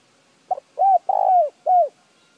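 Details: Spotted dove call used to stimulate a decoy bird to call quickly: a short double note, then a low rounded coo, a longer drawn-out coo sliding downward, and a final rounded coo, all clean against silence.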